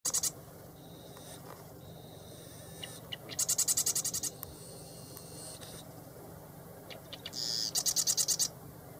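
A marsh wren sings rapid, dry, high-pitched rattling trills about every four seconds, with thin buzzy notes between, over a steady background hum.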